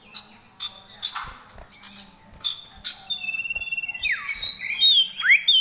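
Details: Common iora in varied song with fill-in phrases: scattered short high chips and buzzes, then a rapid chattering run, ending in loud whistled notes that swoop downward and sharply upward.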